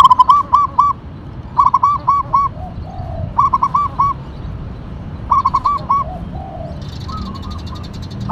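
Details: Local zebra dove (perkutut), described as actively singing, sings quick phrases of four or five soft, rolling coos, one phrase roughly every two seconds, over a low background rumble.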